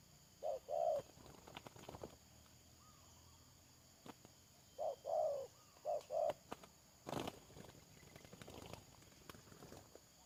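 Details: Spotted dove used as a decoy for trapping, 31 May 2022: two soft cooing phrases, each a short note or two then a drawn-out falling coo, separated by pauses, with scattered clicks and rustling.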